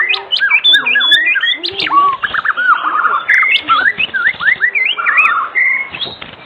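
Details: White-rumped shama giving afternoon song as a lure for other shamas: a lively mix of looping whistles, upslurs and downslurs, and short buzzy trills, sung almost without pause.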